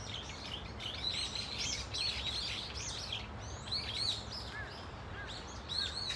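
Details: Brown-eared Bulbuls calling as a flock at Dunsan Grand Park: rapid, irregular high squealing notes, some looping down then up, come in clustered volleys with a faint low hum behind.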